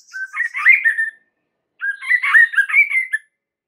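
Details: White-rumped shama singing a lure song meant to provoke other shamas into answering: two rich, warbled phrases of mixed whistles and chatter, separated by a second-long pause.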